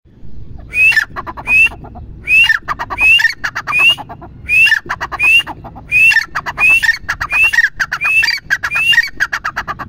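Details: Grey francolin repeating its loud call in a steady rhythm: a rising whistled note joined to harsh clicking pulses, about every three-quarters of a second, in tightly grouped runs with brief pauses.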